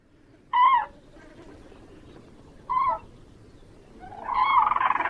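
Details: Crane uttering two clear, ringing bugled notes about two seconds apart over a steady rushing background, followed by a louder, longer, rougher call.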